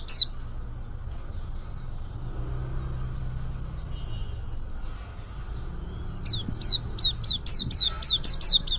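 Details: Young white-eye starting to sing, giving a few high descending chirps, a quiet pause with background hum, then a fast burst of sharp, high down-slurred notes repeated several times per second.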